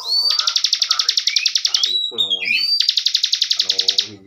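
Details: Bar-winged prinia kept caged as a training master for contest birds: nearly continuous rapid buzzy trills with upslurred whistles woven in, and a brief lower harmonic chatter at mid-phrase.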